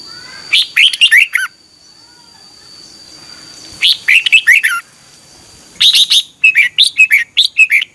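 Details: Red-whiskered bulbul singing in the morning, a strident competitive 'ché' style song used as a lure to train birds: three bursts of quick, sharp whistled notes, each a tight run of rising and falling chirps, separated by pauses.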